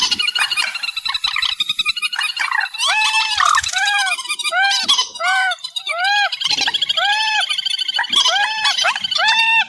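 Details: Reed warbler song, amplified: dense chattering phrases of repeated harmonic arched notes, some overlapping, delivered almost continuously with short pauses.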